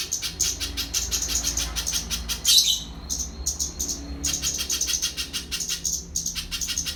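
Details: Quick, high-pitched chipping from a little spiderhunter, delivered in repeated bursts with short pauses between runs, and a soft low hum behind.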